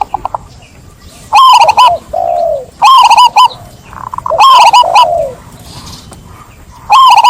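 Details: Zebra dove singing: clear, ringing cooing phrases built of rapid stuttered notes, repeated about every one and a half seconds, with softer lower coos trailing between phrases.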